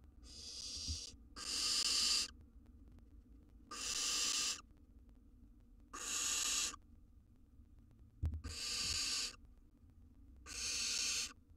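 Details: Wild young barn owl siblings in a monitored nest box, learning to flap and jump; long harsh hissing screeches about a second each, repeated roughly every two seconds, over a low rumbling background.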